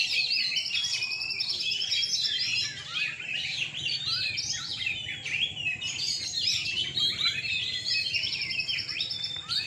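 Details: Several Oriental magpie-robins (kacer) compete at an evening songbird contest in Rungkut, Surabaya, Indonesia, pouring out nonstop high-pitched song: shrill whistles, fast trills and buzzy chatter overlapping throughout, with brief lulls.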